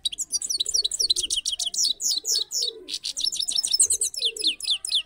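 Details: Caged trained saffron finch in continuous song, dense bursts of high, bright, rapidly repeated downslurred chips and trills, with soft low dove cooing running underneath throughout.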